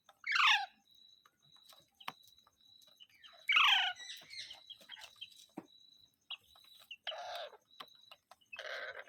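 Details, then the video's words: Pet green parrot making two harsh, falling squawks about three seconds apart, followed by rougher, noisier calls, with scattered clicks and a faint steady high tone behind. "Parrot Sounds Videos Compilation | Mitthu Mitthu Parrot Sounds | मिट्ठू मिट्ठू |Funny parrot sound"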